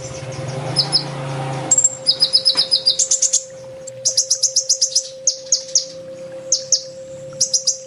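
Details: Training master song of an olive-backed sunbird (kolibri ninja), 'full tembak' style: bursts of piercing high chips in quick series, about four per second, broken by short pauses, with a faint low rumble early on and a continuous hum.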